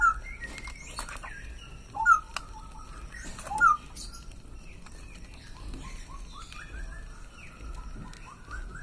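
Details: Loud male straw-headed bulbul in full voice: two strong, clear whistled bursts near the middle, then a run of quieter rising and falling warbled notes over a low background hum.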